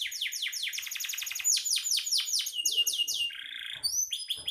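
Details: Vigorously singing canary giving quick rolls of descending sweeps that slow into spaced slurred notes, then a low buzzy tour and a few high rising whistles, with faint soft knocks underneath.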